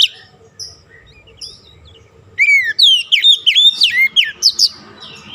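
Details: Oriental magpie-robin song used to lure and stir a stressed, silent kacer into singing: after two seconds of faint scattered notes, a rapid burst of loud, harmonic, sweeping whistles descends and rises in quick succession, with a faint steady hum beneath.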